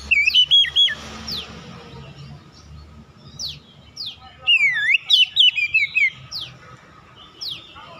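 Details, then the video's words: Magpie-robin singing to lure others into responding: an opening run of bright whistles, then spaced single downward-sweeping notes and a busy middle passage of looping, rising and falling whistled phrases over a faint background hiss. "DALAM HITUNGAN DETIK KACER LAIN LANGSUNG RESPON GACOR SEKALI PANCING"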